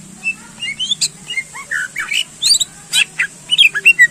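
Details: Greater green leafbird singing energetically to excite competition birds: a dense, varied run of quick whistled slurs, rising and falling notes and harsh squawky chips, one after another with hardly a pause, over a faint low hum.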